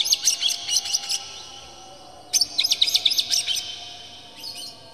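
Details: Oriental magpie-robin singing an excited, full-material song while spreading its tail, used to provoke other magpie-robins to sing. High, dense bursts of sharp chattering and whistled notes arrive in two loud phrases, then a fainter trailing burst.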